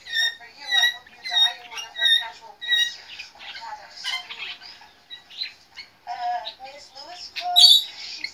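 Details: Young rainbow lorikeet (Trichoglossus moluccanus) chick giving harsh, nasal squawks, about two per second at first, then a looser run of scratchy chatter and squeaks in a quiet room.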